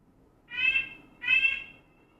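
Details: A red-bellied woodpecker gives two rolling, churring calls, a sound often heard in the woods. Each call is about half a second long and a second apart, harsh and trilled with a rich, buzzy tone.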